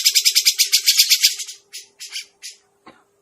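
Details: Grey-cheeked bulbul call played as a lure for trapping birds: a quick, rasping rattle of about a dozen even pulses, then three slower separate harsh notes and a brief click.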